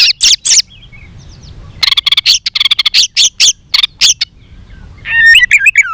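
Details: White-rumped shama in fighting song, tail flicking: quick bursts of sharp high clicks and chattering notes, with a short twittering whistle phrase at the end.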